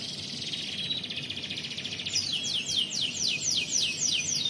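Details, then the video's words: Canary in competition-style singing: a dense, high trilled warble opens, then a run of rapid descending sweeping notes repeated about four per second, with a faint low background hum. "Kenari Gacoran"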